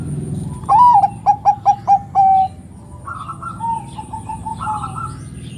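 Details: Energetic Bangkok-type zebra dove singing to rouse other doves: a rising whistle, five crisp short coos, then a long steady note, followed by softer answering coos from another dove.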